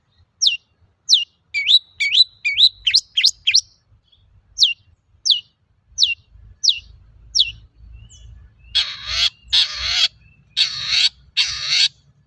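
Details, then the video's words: Song of a long-tailed shrike played to stir other shrikes into song: a string of sharp, high, descending notes, some in quick clusters, then four loud, broad, harsh rasps. "Suara burung cendet gacor untuk pancingan cendet bahan"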